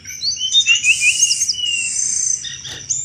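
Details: Sunda robin (tledekan gunung) in full chattering 'cetrekan' song, used to lure thrushes: high, rapid twittering phrases with slurred whistles and buzzy bursts over a steady shrill high whine in the background.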